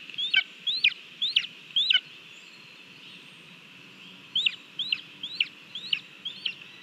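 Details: Lesser spotted eagle eating a mole at the nest, Latvia, 18 July 2022, live camera recording. It gives short bursts of sharp rising-falling whistles, four in quick succession, then a pause of about two seconds and five more, over a low background hiss.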